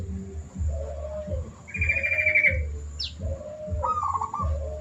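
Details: Vigorously singing zebra dove as a master training recording: a series of low bending coos and a rippling trilled phrase, broken by a buzzy higher trill and a quick squeak, against steady low thuds.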